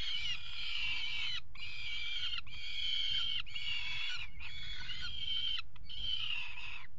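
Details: On the nest ledge of a water tower in Axel, Netherlands, 5 February 2018, mating peregrine falcons give rhythmic rasping cries, about six drawn-out calls, each broken by a short gap, with low hum throughout.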